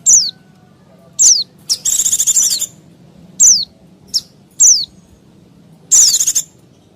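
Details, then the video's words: White-eyes in a busy lure recording meant to draw in wild birds. Thin, steeply falling whistled notes come about once a second, broken by a longer buzzy trill, over a low background hum. "Suara Pleci Ribut Sangat Ampuh Pikat Pleci Liar Dan Burung Kecil Lain nya"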